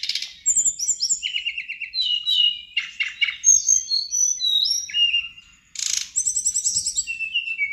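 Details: Pied fantail, called sirdadu, singing loudly and continuously as a lure to draw answers from other sirdadu; varied phrases of descending whistled notes, rapid buzzy trills and chattering bursts, briefly pausing before resuming.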